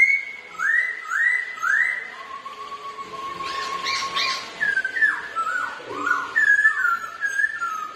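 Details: Two Black-throated laughingthrushes compete in song while displaying. Three rising, slurred whistles repeat about every half second, then a long steady whistle follows, and a series of looping, descending whistled phrases ends it.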